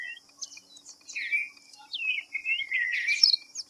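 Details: White-browed fantail (Rhipidura aureola) whistling a short wavy phrase of upslurred and downslurred notes, ending in a brief high flourish, against a constant thin hiss.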